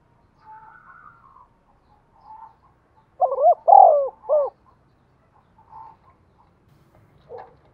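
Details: Spotted dove used as a decoy bird to prompt other doves to coo; soft scattered coos, then a loud burst of three deep, rolling coos, followed by quieter faint notes.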